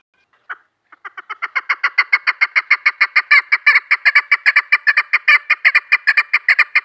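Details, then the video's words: Female chukar partridge used for hunting, one soft note then a dense series of loud chuk notes starting after a second, about two and a half per second, growing louder and continuing to the end. "shakari awaz madi chakur kiklik conc"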